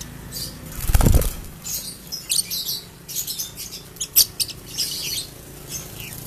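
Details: Ombyokan lovebird, a common cage bird without clear lineage, delivering ngekek chatter: a dull thump early on, then rapid shrill chirp bursts and scratchy high trills.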